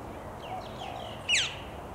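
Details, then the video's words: Australasian figbird, male, recorded in late July 2017 at Hawthorne Canal Reserve, a Sydney recreation area in NSW; soft chirping notes lead into one loud, harsh call that swoops steeply downward, with low background rumble. "Australasian Figbird"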